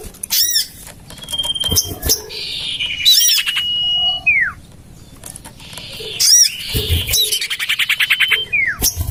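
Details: Bird-attracting lure of common iora, tested in a garden beside a house: a long whistle sliding into a steep downward curl, repeated with buzzy chatters and sharp high arched squeaks between.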